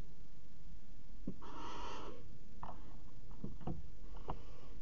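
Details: Barn owl at a nest box in the Axel water tower, pair mating on the box edge, 5 February 2018: one rasping hiss lasting under a second, followed by scattered scratching and tapping sounds inside the box.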